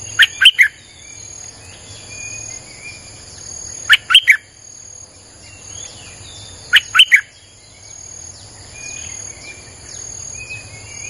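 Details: A Streak-eared bulbul repeats a brisk phrase of three to four loud, slurred chirps about every three seconds, a song played to lure wild birds. Softer whistles fill the gaps over a steady insect buzz.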